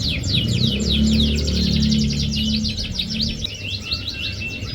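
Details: Canary song used as a lure to stimulate a reluctant canary to sing: rapid high trills and chattering sweeps repeated several times a second, with a low hum and soft background noise beneath.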